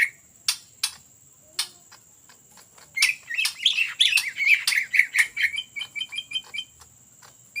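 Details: Ngetrok song from a greater green leafbird, used as a lure. After three seconds of scattered clicks, a burst of fast, tumbling whistles begins and ends in a tidy string of evenly spaced short notes.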